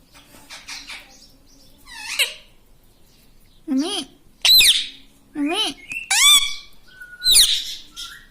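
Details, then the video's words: Pet parrot said to speak "mitthu" and "mummy": murmured chatter, then a string of sharp, bent, harmonic squawks and one clear short whistle, over a faint steady hum. "Talking parrot - Mitthu mitthu - Mummy Bolne Wala Tota"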